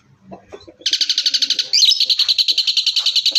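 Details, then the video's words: An Asian pied starling, a species known for mimicry and loud gunshot-like notes, sings a loud run of rapid, harsh chattering notes, about a dozen per second, shifting into a buzzy, rattling burst after soft low murmurs. "Suara Jalak Suren Full Tembakan ||Sound of Starling Suren Full Shot"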